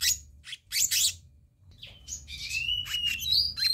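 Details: Black-naped monarch from a bird-luring recording: grating, scratchy chatter notes, then a drawn-out rising and falling whistle over a steady low background hum.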